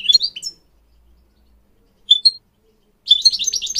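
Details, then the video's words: Goldfinch tutoring song for training mules and canaries: opening twittered slurs, a silent stretch, two sharp high whistles, then a fast, jangling burst of repeated notes. "Teaching goldfinch mules and canary to song"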